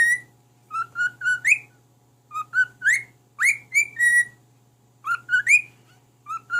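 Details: Male cockatiel kept as a pet, singing to his mate: repeated groups of three or four whistled notes ending in a rising swoop, phrases separated by brief pauses, steady faint hum behind.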